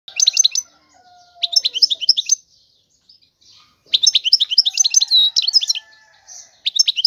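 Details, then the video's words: European goldfinch singing: bursts of rapid, tinkling high twitters mixed with short buzzy notes, delivered in phrases of about a second separated by brief pauses. "تغريد الحسون هو اجمل صوت العصافير"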